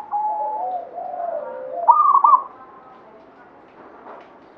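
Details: Zebra dove of the local Banyumili type: soft drawn-out cooing from nearby doves, then one loud rolling trilled coo just before the midpoint, followed by quieter murmuring coos.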